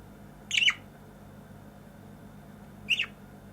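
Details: A pet budgerigar singing while perched on a person's head gives two brief, scratchy, high chirps about two and a half seconds apart over a soft indoor hum.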